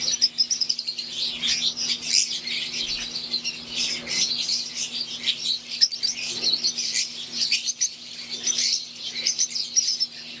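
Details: Several wild-type green Fischer's lovebirds in an aviary chatter nonstop in shrill, high, overlapping chirps and squeaks, with a faint steady electrical hum underneath.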